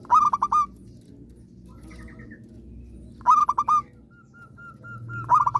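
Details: {'caption': 'Local zebra dove in steady song: phrases of four or five quick, hooked cooing notes about three seconds apart, with a faint thin whistle between phrases and low hum behind.'}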